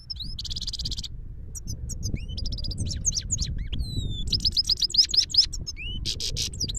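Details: Singing Himalayan goldfinch in Parachinar mixes buzzy trills, sharp high chips and sweeping whistles into a varied, continuous twittering song, with a mild low hum behind.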